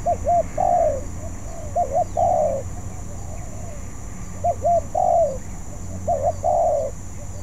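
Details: Practising spotted dove, still unskilled, repeating its phrase four times: a pair of quick arched coos leading into a longer sliding coo, separated by pauses of about a second, steady hum in the background.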